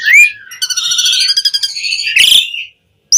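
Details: Asian pied starling (jalak suren) in full energetic 'gacor' song, used as a lure and tutor recording for caged starlings: a rising whistle, then a fast run of buzzy, harmonic-rich chattering notes, and a harsh burst near the end.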